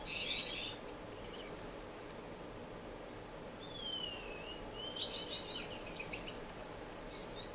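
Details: Indoor community aviary finches, Edmonton, Canada, March 26, 2015: a brief twitter and chirps, a quiet spell with thin falling whistles, then building high, buzzy chatter from several birds.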